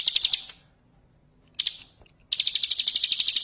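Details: Bar-winged prinia ngebren song for training other birds: short, fading bursts of high chipping broken by silent gaps, then a longer, fast, even series of sharp notes.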